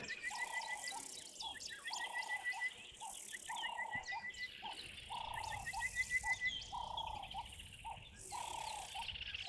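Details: Orange-breasted bushshrike calling persistently at a waterhole on 25 January 2024, repeating short, mellow whistled notes roughly every second, over a busy background of insect buzzing and other birds' high trills and chips.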